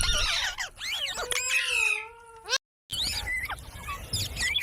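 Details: Talking parrot: dense, speech-like chatter of swooping harmonic syllables, a sustained wavering tone, a sudden cut to silence, then more chatter.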